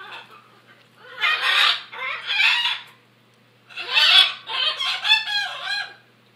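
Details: Aggressive macaw screeches in two loud groups: a pair of grating squeals, a silent gap, then a run of four rasping, goose-like calls.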